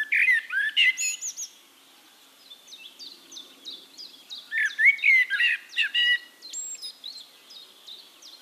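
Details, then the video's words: Eurasian blackbird singing in Castricum, Netherlands: two fluted strophes each ending in thin high twitters, with a quieter bird's repeated high chips filling the gap between them. "Relaxing Birdsong: Blackbird"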